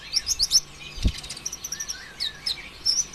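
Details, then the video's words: Olive-backed sunbird (konin ijoan) in full continuous song meant as a lure for other birds: rapid high chirps and downward-slurred whistles, then a run of quick twitters, with a brief low thump early on. "PANCINGAN ampuh suara konin ijoan KONSLET"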